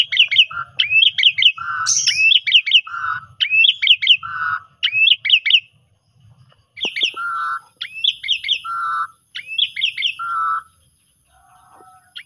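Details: Asian pied starling song used as a lure recording repeats a short phrase about every second and a half: a low whistled note, then a quick cluster of high, rising chirps.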